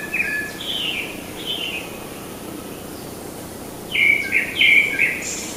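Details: Wild fairy pitta (Pitta nympha) building a nest in South Korea, 2019: short, clear, high whistled notes, one burst at the start and a louder cluster near the end, over soft background hiss.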